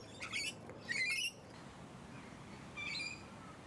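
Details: Musk lorikeets (Glossopsitta concinna) up close in leafy suburban Hunters Hill, Sydney, Australia, in late November to early December 2020, giving three shrill, rasping screeches, two close together and a third after a pause, over faint background hiss.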